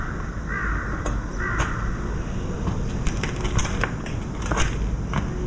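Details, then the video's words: Fledgling crow from May 2024, red-billed and adult-sized, pleading with its parent for food: a pair of rough 'kkaa' calls about a second apart near the start, then clicks and taps over constant background noise. "수시로 어미새에게 먹여달라 까아까아 조릅니다"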